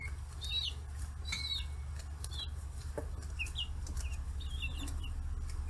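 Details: Free-range chicks aged 40 days swarming fish heads at a farm in Kitahiroshima, Hiroshima, Japan; intermittent shrill peeps and short chirps with brief pauses, soft knocking sounds, and an ever-present low hum.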